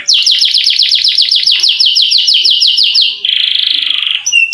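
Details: Canary with a long rolling song to lure quiet canaries into song: rapid descending notes repeated steadily for three seconds, followed by a low buzzy continuous roll and a brief high whistle.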